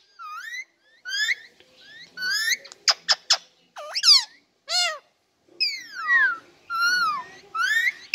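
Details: Talking ringneck kept as a pet, producing a stream of mimicked speech syllables, sharp clicks and warbling whistled glides in short bursts with gaps between them.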